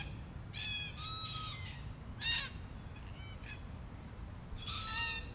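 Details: Wild Australian red-tailed black cockatoos around a spy camera they tear at: several moderately loud raspy calls, a short loud one in the middle, then a final harsh screech, over low background noise.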